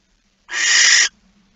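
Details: A single drawn-out, breathy screech of a barn owl lasting about half a second, from a male delivering a mouse at 23:43 on a September night in 2019, over a steady low hum.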